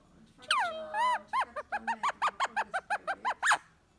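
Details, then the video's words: Pet Indian ringneck parakeet indoors on a relaxed night, a talking bird that copies its owner saying "No": two drawn-out, sliding harmonic calls, then about a dozen quick, evenly spaced nasal chatter notes in a steady run. "Cute Talking Ringneck Parrot says “No, No”"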